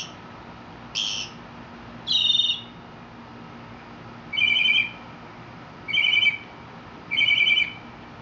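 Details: Mockingbird in Mexico delivering harsh, rasping buzzy notes, one roughly every second or two, with a few higher scratchy syllables at the start.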